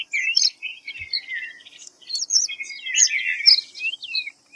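White-browed fantail giving a busy run of high, sweet chirps and short whistled slurs, tumbling up and down almost without pause.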